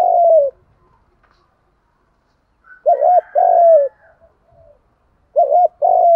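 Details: Spotted doves, male and female, cooing to set other doves calling. The end of one falling coo is followed by two complete phrases, each a quick trembling double note and a long descending note, with quiet pauses between.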